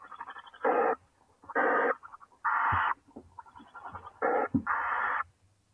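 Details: Nestling owls from a clutch of eight, calling in a huddled pile as the mother comes back: six loud, rough hissing screeches, each about a third of a second, with softer raspy sounds in the gaps.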